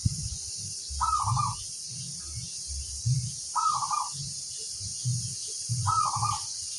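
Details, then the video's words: Zebra dove of local crossbred stock uttering three short rolling coo bursts about two and a half seconds apart, against steady hiss and low background rumble. "suara sang masteran burung perkutut crosing"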